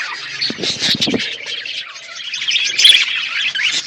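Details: Outdoor aviary budgerigars chirp while eating; a brief burst of short clicks and low notes early, then a busy stream of high, bright chattering chirps.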